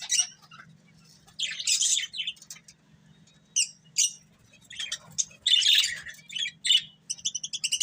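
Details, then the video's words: Breeding pair of budgerigars chirping: scratchy, high chatter in irregular bursts, with harsher squawky passages and quick twittering notes toward the end, over a faint low hum. "Cute Budgies Chirping Sounds"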